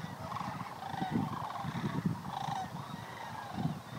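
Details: Staging Sandhill Cranes, family groups with adults and juveniles, at a migratory waterfowl refuge in Fairbanks, Alaska; continuous low, rattling, trumpet-like calls overlap one another, pulsing in short bursts over steady background rumble.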